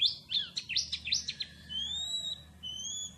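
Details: Canary-style song of an Oriental white-eye: a quick jumble of sharp high slurred notes, then several long, thin, steady whistles at different pitches.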